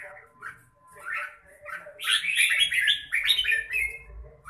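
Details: Red-whiskered bulbul starting with soft, scattered chirps, then breaking into a loud, rich, tumbling warble of rapid notes lasting over two seconds.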